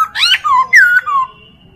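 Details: Chinese hwamei singing for a tutor recording meant to train other birds, with a short burst of loud whistles: a rising slur, then descending glides, ending in silence.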